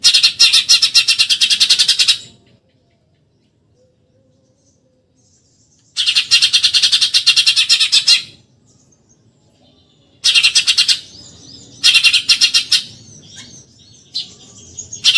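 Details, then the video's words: Eurasian tree sparrow's 'tembakan nyerecet' chattering for training contest birds: long two-second rattles of rapid harsh notes, then shorter bursts and scattered twittering toward the end, separated by near silence. "MASTERAN TEMBAKAN NYERECET BURUNG GEREJA"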